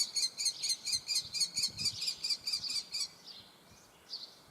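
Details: Begging young common kestrel: about three seconds of repeated shrill, high notes at a steady pace, then fading to a couple of faint calls amid low outdoor rumble.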